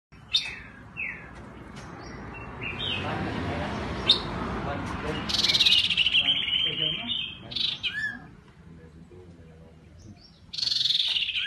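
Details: Black-headed iora song, played to excite wild birds into singing: short chirps and slurred whistles near the start, then a bright buzzy burst mid-way and another loud whistled phrase at the end, over steady rushing background noise.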